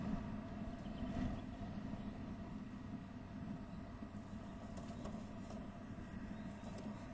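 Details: Low idling engine rumble and traffic hum dominate, with a few faint high ticks and no animal calls.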